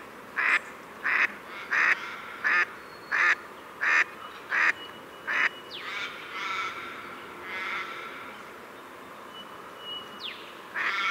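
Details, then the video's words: Pacific black duck quacking rhythmically about eight times, then softer, longer drawn-out nasal calls, with faint high whistles from another bird in the background. "Pacific Black Duck Call Song Sound"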